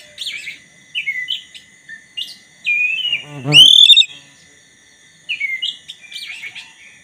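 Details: Black-breasted white-rumped shama singing to provoke a rival into song: short varied whistled notes and slurred phrases, broken midway by a loud rising whistled burst with lower harsh overtones.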